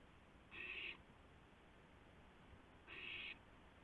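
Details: Owl on 2 April 2016 at 2:51 AM, during delivery of a gopher to a second owl, utters two hoarse hissing screeches roughly two and a half seconds apart against a soft steady hum.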